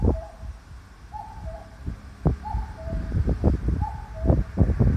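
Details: Common cuckoo calling in Sanno Park, Ageo, Saitama, Japan, among large pines and sawtooth oaks, 5 June 2021: a two-note falling "cuck-oo" repeated about every 1.3 seconds, partly buried under heavy wind rumble and gusts.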